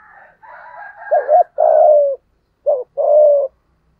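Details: Spotted dove in 'giọng thổ' voice, used to lure wild doves: an opening of higher rasping calls, then two coo phrases, each a quick bent note followed by a sustained low falling hoot.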